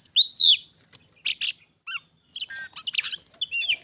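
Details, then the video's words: Oriental magpie-robin in a vocal contest with a wild rival that approached the caged pet. A loud arched whistle opens, followed by scattered harsh chips, short squeaks and rattling notes. "Kacer _adu suara sampai jadi bertarung/fight Cok"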